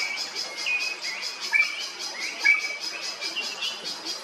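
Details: Drongo, possibly black or greater racket-tailed, in Kerala, India, giving sharp, metallic whistled notes, two bright upslurred calls standing out, over a steady high pulsing insect buzz.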